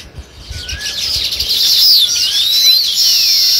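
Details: Sparrow chirping: dense, loud, high-pitched chattering chirps and twittering notes overlapping throughout, with some sweeping whistled notes and a brief lower whistle early on.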